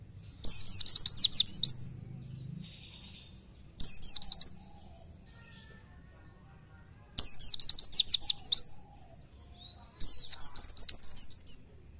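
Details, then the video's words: Oriental white-eye (pleci) singing in the fast 'nembak nyepeed' style for a training (masteran) recording: four bursts of very high, rapid, shrill chattering warbles, each lasting one to one and a half seconds, separated by silent pauses. "MASTERAN PLECI NEMBAK NYEPEED"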